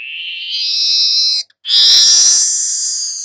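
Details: Two long, harsh, buzzing notes from a golden-headed weaver, broken by a short pause, from a recording meant for tutoring songbirds.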